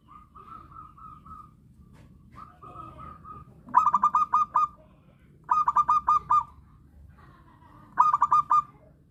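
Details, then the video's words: Local zebra dove heard as a trapping lure. Soft purring coos in short strings lead into three loud bursts of five rapid, ringing cooing beats, spaced roughly two seconds apart, over quiet background. "Pancingan perkutut Lokal suara asli"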